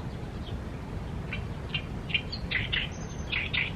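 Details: Wild Oriental reed warbler by the Tama River: a series of harsh, chattering notes repeated about once a second, growing louder and closer together toward the end, over steady low background rumble.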